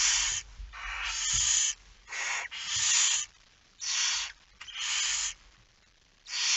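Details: Hoarse, breathy screeches at a barn owl nest during feeding at night, 10 September 2019, 22:45; long broadband hisses of roughly half a second to a second, repeated irregularly with quiet gaps between.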